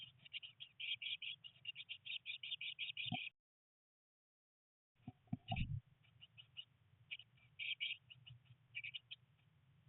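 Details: Eurasian blue tit nestlings, three chicks on their nineteenth day in a nest box, during heavy rain and first flight attempts: dense bursts of high, thin chirps, a brief silent gap, then scattered chirps and thumps over a low hum.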